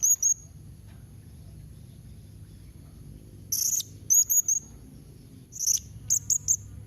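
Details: Blue-crowned hanging parrot call meant to draw answers from other hanging parrots; clusters of sharp, high-pitched chirps, some paired, some in threes, separated by quiet stretches with faint low rumble.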